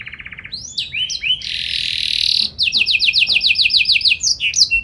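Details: Canary singing in a lively, energetic style with special ornamented phrases: a fast buzzy trill, then rising whistled notes, a long harsh rolling buzz, and a run of rapid repeated sweeping notes.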